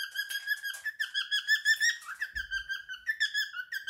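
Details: Three-year-old male cockatiel kept as a pet, performing his favourite song: a continuous run of bright, wavering whistles sliding up and down, delivered rapidly with one brief low thump in the room.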